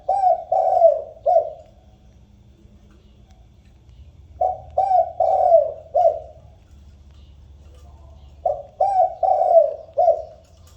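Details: Spotted dove cooing to call the flock, used as a lure: three phrases of four to five soft, hollow low coos, the middle note longest, separated by roughly three-second pauses.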